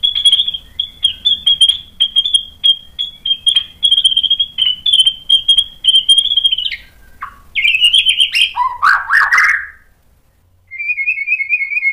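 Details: White-rumped shama song meant to provoke rival shamas: a long run of rapid, even whistled notes at a steady pitch, then swooping slurs and harsh rasping bursts, ending with a quick trilled whistle after a short silence.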